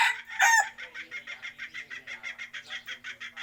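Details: A chicken gives one loud sharp squawk, then a fast, even series of about a dozen rhythmic clucks, roughly four per second. A soft low hum sits underneath.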